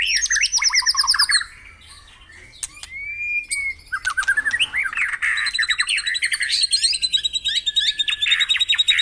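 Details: Lively White-rumped shama singing meant to prompt caged birds to sing: a burst of rapid high trills and slurred whistles, a brief lull with scattered clicks, then a long stream of quick chattering, twittering phrases.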